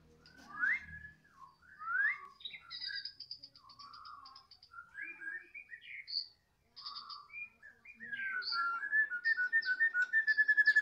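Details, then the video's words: White-rumped shama of the Medan type singing in the afternoon: clear whistled phrases, rising sweeps and high thin notes, ending in a fast run of repeated notes. "Lagi pantau mb MEDAN,, di sore hari,,"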